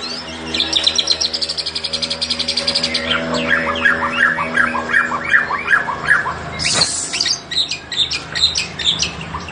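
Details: White-rumped shama singing in fighting style: a fast run of sharp repeated high notes, about two or three a second, gives way to varied chattering and whistled phrases, then a loud harsh burst near the end, over a steady low hum.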